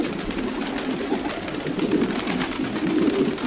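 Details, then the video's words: Low, throaty cooing from a group of domestic pigeons blends into an unbroken murmur that swells slightly toward the end, with faint clicking noises. "Sounds of pigeons.Pigeons,domestic pigeons - pigeons sound effect.."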